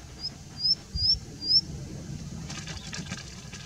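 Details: Indian bushlark vocalizing while perched on a rock at Jayamangali: three thin, high, upslurred whistles in quick succession about half a second apart, followed by quiet with steady low rumble and faint hiss.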